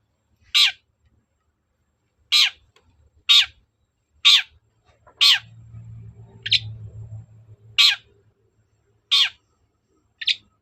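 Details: Long-tailed shrike lure call to provoke a reply: a long series of nine harsh, grating notes at irregular intervals of one to one and a half seconds, some shorter and thinner, with a low humming rumble midway through.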